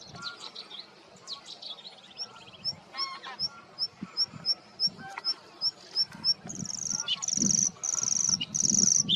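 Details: Singing male Bluethroat holding territory in reeds and shrubs, a varied mimicking song. Scratchy notes give way to a fast, even ticking series, then a sustained, very high, buzzy ringing trill that repeats.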